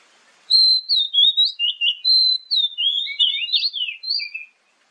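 An Oriental magpie-robin sings a rich, varied run of clear whistles and quick slurred phrases, rising and falling for about four seconds with no other sounds.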